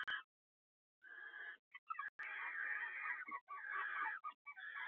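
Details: Male barn owl at a nest box in the evening in February brings food to his mate incubating seven eggs due to hatch in about four days, then mounts her: harsh, raspy screeches in bursts after a single short sharp note.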